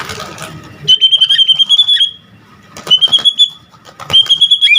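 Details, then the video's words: White-rumped shama producing high, thin trilled phrases, three separate bursts of fast rattling notes with brief pauses between, from a varied full-repertoire song used to excite other shamas. "Murai Batu GACOR Full Isian Ampuh Buat Pancingan Murai Batu Agar Cepat Bunyi"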